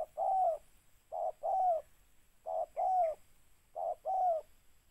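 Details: Spotted dove; clear mellow coos in a repeated phrase of a short note followed by a longer falling one, three times over about five seconds, in a quiet setting.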